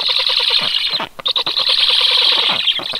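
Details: Young storks calling on 18 July 2022, a steady stream of fast, grating pulsed notes that stop briefly for a few sputtering bursts before resuming at full strength.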